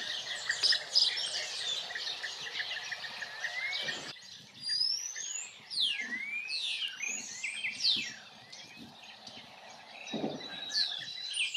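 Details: Loud, clear European bee-eater calls in Extremadura: a burst of overlapping swooping and rising whistled notes from several birds, first over a busy chorus, then standing out in quieter countryside.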